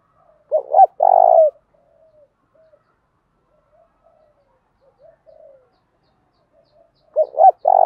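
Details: Fighting decoy spotted dove, its call meant to quickly draw wild doves into answering and fighting: a deep coo phrase of two clipped notes and a long burred note, soft notes between, the phrase repeating about seven seconds later.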